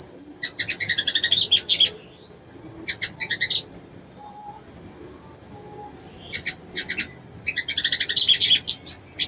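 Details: A female crimson sunbird calls to stir a male into breeding condition. It gives several separate bursts of fast, high, buzzy chittering, split by pauses of a second or two, with faint thin whistles between them.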